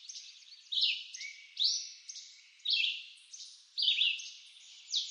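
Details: Woodland red-eyed vireo from eastern North America gives about five brisk whistled phrases, several sliding downward, separated by roughly one-second pauses over steady background hiss.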